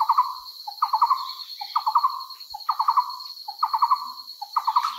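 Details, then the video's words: An Indochinese barbet in Cambodia gives low, hollow phrases about once a second, each a short lead note followed by a quick rolling trill, over a steady high insect drone. "Indochinese Barbet Call"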